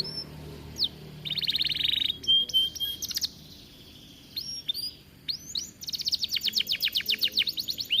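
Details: Aviary canary singing, meant to stimulate other canaries: sparse sweeps, a buzzy roll, level whistles, brief pauses, then a fast trill of repeated downward notes building toward the end.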